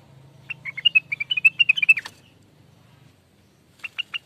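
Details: Greater green leafbird song for luring birds: a fast run of about fifteen bright whistled notes lasting under two seconds, then a short pause and a few more notes, over a faint low hum.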